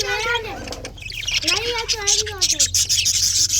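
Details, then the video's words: Budgerigar warbling on a February 24, 2024 morning: curving, slurred notes rising and dipping, followed by a run of fast, evenly spaced high ticking chirps. "February 24, 2024 Morning 🌄 chirping sounds ! best parrot 🦜 beautiful"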